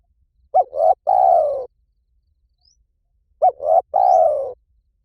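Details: Training call of a spotted dove in the 'liu tan' pattern, repeated twice about three seconds apart; each phrase opens with a clipped looping note, then a rising note and a long mellow descending coo.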